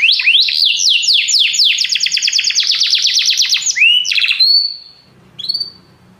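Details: Canaries singing together after hearing music, a rapid rhythmic string of descending whistled sweeps accelerating into a dense trill, then rising slurs and a clear high note before fading to near silence.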